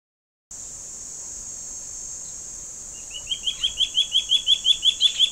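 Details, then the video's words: Two juvenile Gabar Goshawks begging while waiting in a tree for their parents to bring food: after a silent start, a fast run of about fifteen high, sharp piping notes, quickening and growing louder, over a steady high insect drone. "Gabar Goshawk juveniles calling"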